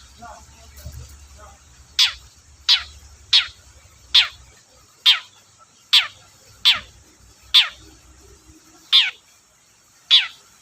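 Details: Long-tailed shrike (cendet) used as a lure for shrikes that rarely sing: sharp, descending high chips repeated roughly every 0.7 to 1 second over a faint low hum.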